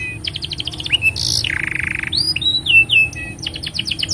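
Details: Long canary song, a master recording to teach juvenile canaries and stimulate silent ones; rapid chip series give way to a buzzy sustained trill, then clear descending whistles and quick repeated notes.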